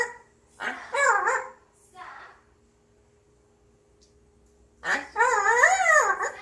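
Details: Grey parrot kept as a pet, humming alone in a cheerful mood indoors; a wavering, voice-like warble, then a quieter snippet, a long pause, and a longer undulating phrase rising and falling near the end.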